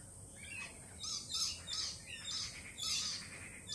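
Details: Lorikeets, jittery since a Peregrine Falcon attack earlier in the week, keep up a dense chorus of shrill, grating screeches in quick overlapping bursts, rising and falling in loudness throughout.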